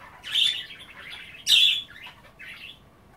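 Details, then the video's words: Pet budgie chattering indoors while nibbling kale at bath time: two loud squeaky chirps, one near the start and one mid-way, followed by a softer warble in quiet surroundings. "A day in the life of a Budgie - kale bath and chattering"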